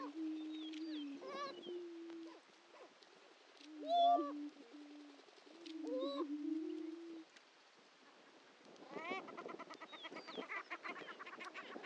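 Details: At Dunn Ranch Prairie's historic lek in Hatfield, Missouri, displaying greater prairie-chickens alternate long, low droning tones with sharp harmonic hoots, then break into a dense chatter of rapid cackling notes near the end.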